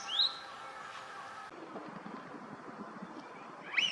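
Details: Eurasian wigeon, a winter visitor at a park pond in Junsai-ike Ryokuchi, Chiba, Japan, recorded February 2026: a high whistled note near the start and a rising whistle at the end, separated by a quieter stretch of low background murmur.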